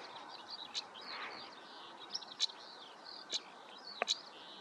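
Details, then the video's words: European stonechat recorded in Spiere, Belgium, on 1 July 2024, giving sharp hard tick calls about once a second over steady high twittering of other birds and faint ambient noise. "Roodborsttapuit / European Stonechat"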